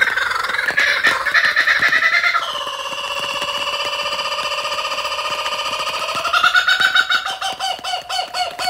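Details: On a rainy day, a laughing kookaburra gives its rollicking laugh: loud chuckles build into a long rolling trill, rise sharply, then break into fast staccato hoots.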